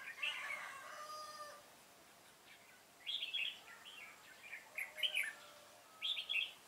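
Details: Red-whiskered bulbul decoy in a trap, singing a fighting song: clusters of bright, quick warbled notes returning roughly every second, with an earlier faint bird phrase and background hiss.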